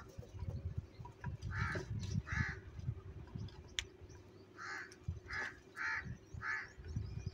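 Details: About seven hoarse caws from crows fighting for food, spaced roughly half a second to a second apart, with a constant low hum and soft rumbling underneath.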